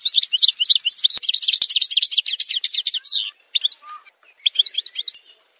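An Algerian goldfinch sings a fast, high, tinkling twitter of rapid notes for about three seconds, pauses, then adds a few scattered notes and a brief further burst.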